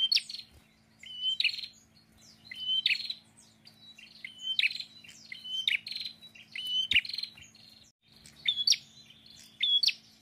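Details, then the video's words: Active, vocal prinia repeats its song about seven times. Each phrase opens with a brief flat whistle, then a sharp upward flick into a dry, buzzing trill, with short pauses between. Constant low electrical hum and a couple of soft knocks. "PRENJAK GACOR PETAKILAN"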